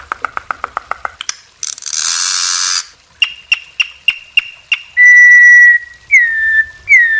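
Campo troupial giving a rapid series of clipped notes, a burst of harsh noise, then loud pure whistled phrases, some steady and some slurring down.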